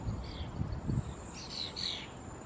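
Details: Juvenile European Starlings in the Squamish River estuary, British Columbia, give harsh, raspy calls in short bursts, the strongest two in quick succession, over a low rumble. They were tussling with red-winged blackbirds and American robins.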